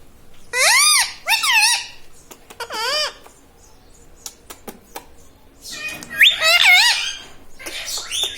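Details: Pet parrot kept indoors, trained to talk, repeating short harmonic syllables in bursts with rising-falling tones, several phrases separated by clicks and pauses.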